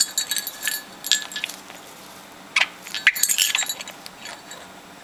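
Sharp clinks and jangles like glass or keys, with no clear animal voice.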